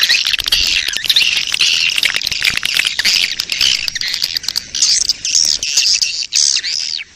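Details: Lure recording of a swiftlet colony in breeding mood, for attracting the birds: thick, overlapping high twitters and squeaky chirps, with a few clearer rising and falling notes near the end.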